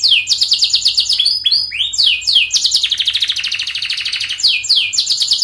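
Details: Canary in continuous fast song, used to get young canaries singing: dense high chattering trills mixed with slurred swoops, unbroken throughout.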